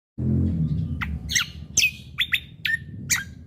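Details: Lesser green leafbird, kept as a master bird for training other songbirds, giving a run of sharp separate chirps and short slurred whistles with fast downward sweeps, after a brief low rumble at the start.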